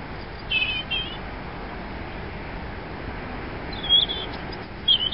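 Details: Robin singing: short, high, twittering phrases separated by long pauses of about three seconds, over a steady low background hiss.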